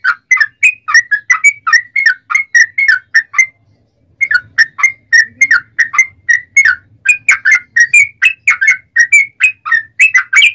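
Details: Extended song of a yellow-vented bulbul meant to trigger other bulbuls into singing: dense bursts of quick bubbly whistles, a brief pause near the middle, then the rapid notes resume and continue steadily.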